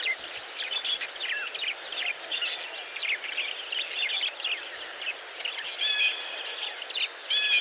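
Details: Budgies in a colony aviary, rapid chirps and sweeping whistled notes over a steady hiss of background noise.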